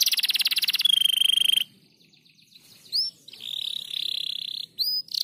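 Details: Crested canary in 'gacor rapat' singing: a loud buzzy roll and steady trill, then a near-silent gap with faint background noise before a few soft slurred notes and a quieter sustained trill.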